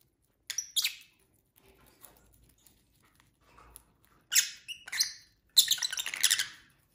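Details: Pet lovebirds at dinner give harsh, squeaky chirps in short bursts, then a longer chattering run of shrill notes at the end, separated by quiet stretches with faint rustling.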